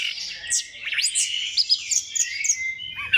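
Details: Orange-headed thrush lure song: a blurred, fast tumble of high warbled and slurred notes with quick chirps, delivered almost without pause.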